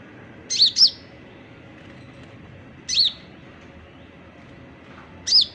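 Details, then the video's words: Oriental magpie-robin (konin), a kept songbird starting to open up into song, giving short high sliding chirps: a quick pair, then single notes spaced about two to three seconds apart, against steady low hiss. "KICAU, Konin buka paruh"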